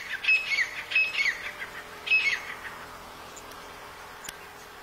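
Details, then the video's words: Black francolin calling at Nawabshah, Pakistan: three harsh, grating phrases of quick scratchy notes about a second apart, fading into a steady background hiss. "Irani Teeter Ki Awaz | Black Francolin"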